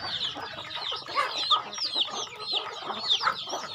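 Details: Chickens during feeding on a rural farm give a busy run of sharp, high down-slurred chirps from several birds, with occasional brief clucks.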